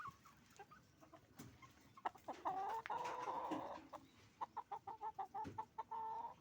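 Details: Hens and roosters on a chicken farm: a loud drawn-out squawking call lasting over a second, then rapid clucks in quick succession, many birds calling together.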